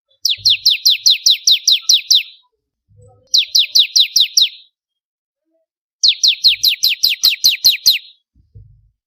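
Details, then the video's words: Crystal ciblek, the bar-winged prinia, used as a master song for tutoring cage birds: bursts of eight to nine quick, bright down-slurred notes in a steady rattling series, with short silences between bursts. "Masteran suara burung ciblek kristal 4 variasi"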